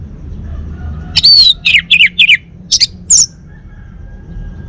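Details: Caged male orange-headed thrush of the Bali form, kept at home, gives a short burst of song: a bright descending whistle followed by quick slurred, wavering notes and two high clipped chirps, over a quiet low background hum.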